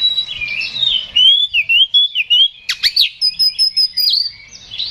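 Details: Oriental magpie-robin, known locally as kacer, singing aggressively to provoke another bird to fight. A wavering whistled run is followed by sharp downward-swept notes and a long, high, steady whistle made of rapid pulses.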